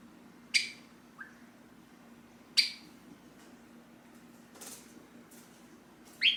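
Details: Pet Java sparrow kept in a cage, summoning its owner as the owner stands to leave: loud, clipped chips roughly every two seconds, a soft peep after the first, and a brief rustle midway.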